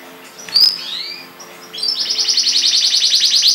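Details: Canary singing: a sharp whistled note and a descending slur, then a fast even trill of repeated notes building in loudness.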